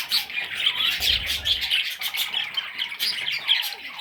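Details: Short burst of baby parrot chatter: grating, nasal squawks crowded together in quick succession, plus a low rumble around the middle.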